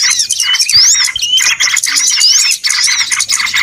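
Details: Crowded small-bird calls for luring birds into traps: shrill rising whistles over dense, pulsing chirps, with a brief dip in the din near the middle.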